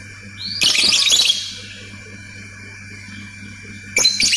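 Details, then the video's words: Lovebird with ngetik and ngekek chatter: a short rising whistle leads into a dense, harsh, clicking burst, then a pause and another sharp burst, over a low hum. "BURUNG 🐦LOVBIRD SUARA NGETIK TAMBAH NGEKEK"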